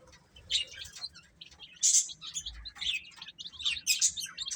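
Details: Several chicks eat and chirp together, giving overlapping high, sharp peeps in irregular bursts, with faint low knocking below.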